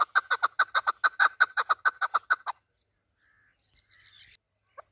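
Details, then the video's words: Afghan desi chukar partridge kept by hunters, giving a quick burst of loud harsh chuck notes for about two seconds, then quiet with a faint brief whistle and a single later note. "chakor voice | chakor sound | desi afghani chakor voice"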